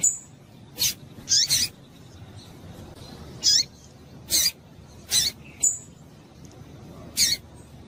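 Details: Female double-collared seedeater calls, played to excite males raised for singing tournaments: sharp, very high chips, some paired or with a slurred trailing note, spaced unevenly every one to two seconds.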